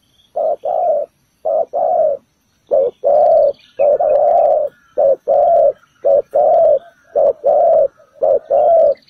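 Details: Spotted dove calling on the ground to lure others into a trap. It repeats low, slightly hoarse coos in short-long pairs at a steady rhythm, about eleven notes in sequence.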